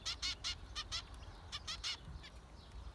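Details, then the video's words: Zebra finches giving short nasal calls in quick bursts, each a stacked buzzy note, clustered in two groups of several notes over three seconds with faint low rumble beneath. "Zebra finchs"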